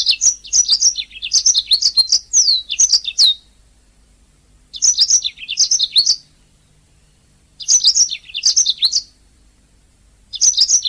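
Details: Canary song meant as a master for teaching other songbirds: bursts of rapid high twittering and slurred whistles, each about one to two seconds long, separated by short silent gaps, repeating about every three seconds.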